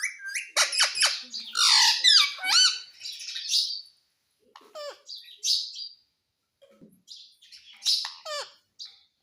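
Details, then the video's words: Pet parrot kept indoors, recorded while prompted to say "mummy": bursts of shrill chirps and squeaky rising-falling whistles, busy for four seconds, then sparser scattered squeaks with silent pauses. "मिट्ठू बोल रहा है मम्मी मम्मी"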